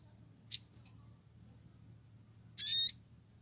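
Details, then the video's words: Female pied triller in heat, calling to attract a male: a faint high tick comes first, then a loud, brief, buzzy harmonic note over a quiet low hum. "PANGGILAN SOGON BETINA BIRAHI MEMIKAT SOGON JANTAN"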